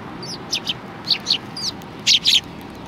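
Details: Sparrows coming to be fed at a Tenmangu shrine in Japan, January 2020: a few clear, slightly downslurred chirps, then a louder double note near the end.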